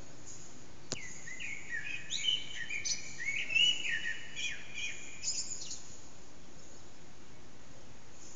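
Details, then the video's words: Early-morning Eurasian blackbird song at about 4:30am, unseen bird in an echoing backyard, phone recording: a sharp click, then several fluted, slurred phrases with squeaky high flourishes, followed by a few seconds of quiet hiss. "Blackbird's morning song"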